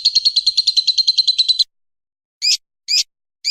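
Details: Lovebird's ngekek training song: a second and a half of fast pulsed trill, then silence and three separate sharp upswept chirps about half a second apart.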